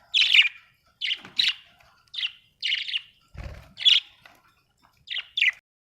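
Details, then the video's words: Budgerigars, Australian birds, chirping: short bright chirps, often paired, about nine notes scattered over six seconds with quiet gaps between, plus a single low thump midway. "budgie chirping sound"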